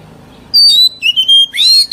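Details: Oriental magpie-robin, an old wild-caught bird, giving a brief sequence of clear sustained whistles dropping in pitch, followed by a harsher rising sweep; used to train young birds' voices.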